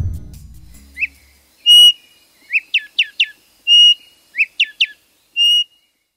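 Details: Black-striped Sparrow (Arremonops conirostris) of the Andean-endemic Colombian subspecies singing: long, steady whistled notes alternating with quick bursts of rising, slurred chips in twos and threes. A brief low rumble opens it.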